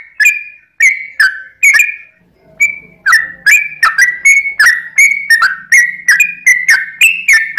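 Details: Sooty-headed bulbul, a song meant to draw other birds into singing; spaced whistled phrases, a short gap with a faint low hum, then a quick continuous stream of bright, bubbly two-pitch notes.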